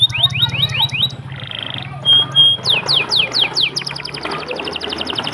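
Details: Canary song: high descending whistled sweeps repeated in quick series, a buzzy trill and a pure held whistle, followed by rapid rattling rolls, over a low background hum.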